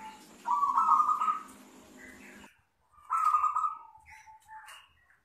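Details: Long 'crystal' song of a local wild-type zebra dove, recorded as a lure and master: two trilled, warbling coos with softer trailing notes, background hiss that cuts off abruptly.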